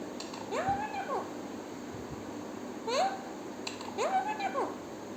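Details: Talking parrot producing three drawn-out, meow-like harmonic phrases, each sliding up, holding, then dropping, spaced roughly one and a half seconds apart, with quiet hiss between them.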